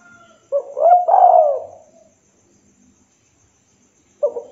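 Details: Local spotted dove calling a rival: one short phrase of soft, low cooing notes with a longer drawn-out coo, then silence before the next phrase begins.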